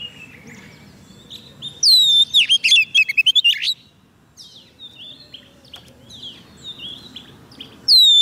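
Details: White-rumped shama song meant to call wild birds: one loud phrase of a descending whistle and rapid chattering notes, then softer distant whistles and a final loud note, over a low background hum.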